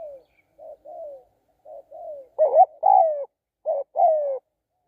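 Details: Decoy spotted dove giving soft short coos that build into louder stuttered notes and long falling croos, heard cleanly with no other sounds.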